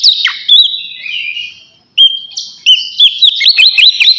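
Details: Oriental magpie-robin giving a ngeplong song while calling a rival: long clear high whistles, some sliding down, then sharp upward-flicked notes strung into a quick run of bright, sweet phrases.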